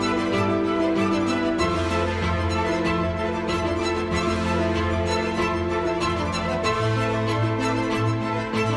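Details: Loud sustained orchestral music with violin plays throughout, with no animal call audible.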